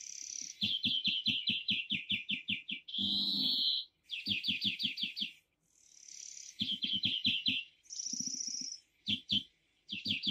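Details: A European greenfinch at a spring feeder in Kandalaksha, Russia, sings in fast, rattling trills of repeated notes, broken by a drawn-out nasal wheeze and brief high twitters.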